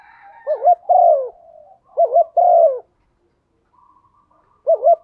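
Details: Female spotted dove calling to stimulate a male, used as a lure: three soft, low cooing phrases, each two quick notes followed by a longer falling coo, with a faint hum between them.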